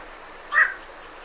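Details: Night heron leaving the roost gives one brief hoarse croak, sharp in onset and fading quickly, against faint background hiss; great reed warblers sing in the background.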